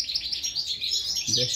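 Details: Goldfinch chicks at the nest begging for food: fast high chirps in a continuous run, with a brief human voice at the end.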